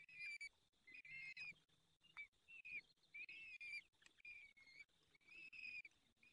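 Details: Peregrine falcon at a nest during the fifth feeding, Barycz Valley, Poland, 23 April 2020, 19:28; high, thin drawn-out squealing calls repeated in quick series with short gaps, some with a slight upward slur, over faint background hiss.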